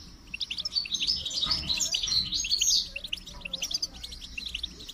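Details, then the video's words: Goldfinch singing a rapid, tinkling twitter of high chirps. The notes swell into a dense, buzzy cluster around the middle, then settle into quicker, evenly spaced tweets. "Motivating Song of the Goldfinch"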